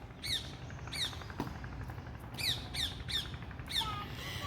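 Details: Parrots calling with short, harsh, grating squawks, around seven in four and a half seconds, roughly every half second, with a faint low hum behind them.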